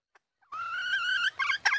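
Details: Hen red junglefowl calling to draw in males: one sustained, slightly rising nasal note followed by two short, rough, clipped notes.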